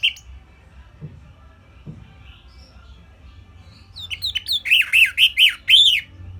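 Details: {'caption': 'Orange-headed thrush, simple tutor song for other birds to learn: after several quiet seconds with faint clicks, a short phrase of about six rapid, looping whistled notes with scratchy overtones ends the passage.'}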